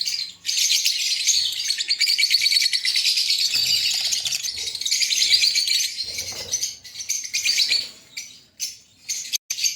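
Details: Green Fischer's lovebirds, a breeding pair in Pakistan, twittering in a busy, piercing stream of rapid chirps that eases into scattered short bursts during the last seconds.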